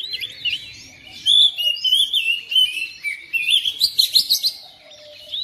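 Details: Domestic oriental magpie-robin responding to a second bird with energetic song: bright sliding whistles and fast twittering notes packed closely together, fading briefly at the end.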